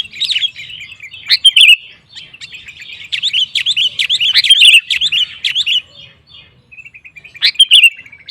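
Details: Lively sooty-headed bulbul song meant to goad rival males into singing: dense, chattering bursts of squeaky, warbled notes with sharp clicky accents, broken by brief pauses, loud and close.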